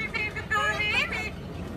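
An Amazon parrot speaks a brief, high-pitched word-like phrase with squeaky, speech-like inflections, over a low rumble of traffic.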